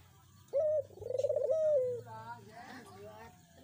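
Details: A Barbary dove coos, played to prompt a silent dove to call: a short hollow note, a rapid rolling trill, then a long falling coo, all low-pitched. Fainter voice-like sounds follow.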